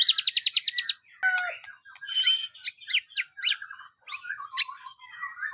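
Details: White-rumped shama opening with a fast, even series of about a dozen high repeated notes. Varied phrases follow: a falling whistle, buzzy slurs, and bright upswept and downswept notes in a rich, changeable sequence.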